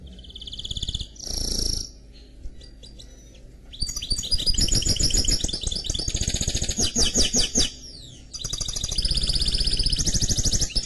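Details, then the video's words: Canary-goldfinch mule song: opening high chirped phrases, a sparse pause, then long loud stretches of rapid rolling trills and buzzy notes with a few falling whistles; steady low background hum throughout. "Chant Mulet Canari X Chardonneret"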